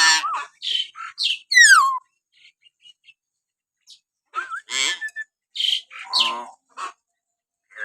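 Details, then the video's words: Common hill myna in natural whistling, played to provoke pet mynas to sing: clipped harsh notes and a steeply falling whistle, a quiet pause, then more rasping calls and a short upslurred whistle. "masteran burung beo suara siulan alami"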